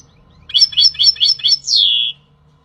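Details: European goldfinch singing: five quick, bright twittering notes at an even pace, then a long, high, slurred note sweeping downward, with faint low hum underneath.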